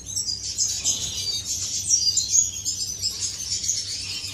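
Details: Inside an aviary, courting finches produce a continuous high twittering with thin squeaks and soft trills from several birds together.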